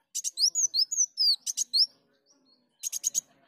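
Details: Kolibri daun, or sunbird, lure song: buzzy notes and a quick series of high slurred whistles, then a pause and a final harsh buzzy burst.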